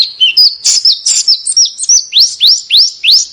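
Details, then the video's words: Small bird song used as a master recording for teaching contest cage birds to copy other birds: sharp, high chirps, then a run of rising whistled notes about four per second, bright and clean, no other sounds. "Suara BURUNG KECIL !!! MASTERAN BURUNG KECIL TEMBAKAN TAJAM DAN SUPER PEDAS"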